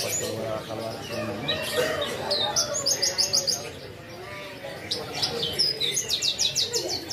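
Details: A Horsfield's bush lark (Mirafra javanica) pours out a fast, busy song of high chirps and rapid trills, with some murmured voices and low background noise underneath.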